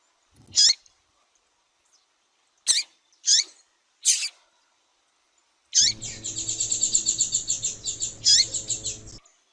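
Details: Female double-collared seedeater calling to excite males into singing: four sharp, high chirps spaced about a second apart, then a fast, buzzy trill of repeated high notes lasting over three seconds, with one louder chirp inside it. Faint low hum beneath.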